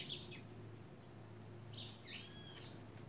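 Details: White woodpeckers, a gang taking over: a brief high note at the start, then a burst of nasal, arched, harmonic calls near the end over low steady hum.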